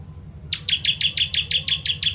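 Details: Short burst of about ten quick, high, sharply struck notes from a Bar-winged prinia, the 'tembakan pedas' song of ciblek used to master songbirds, over a faint low hum.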